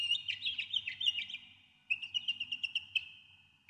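A Northern mockingbird sings two bursts of quick, bright, chattering notes, each phrase repeated several times in rapid succession, with a brief pause between them.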